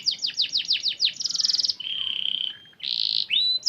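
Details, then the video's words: Canary singing as a lure for other canaries: a run of quick descending chirps, a fast buzzy roll, then a long steady whistled note and a brief bright trill. "PANCINGAN KENARI Gacor, cuit cuit langsung nyaut"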